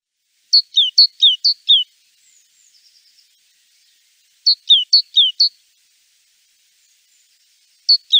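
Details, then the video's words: Great tit giving bursts of four or five sharp, high, downslurred two-part notes, separated by pauses of a few seconds, with a faint soft buzzy trill between bursts. "Różne odgłosy sikorki bogatki."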